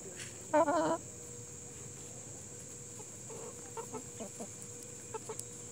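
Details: Chickens of the Plymouth Rock and Hamburg breeds: one loud, harsh, rippling squawk early on, followed by a scatter of soft, low clucks over steady background hiss and a faint hum.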